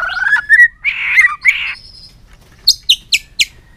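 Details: White-rumped shama singing with tail-flicking on its perch, changing voice in a long string: slurred whistled notes, buzzy bursts, then four sharp high descending chips.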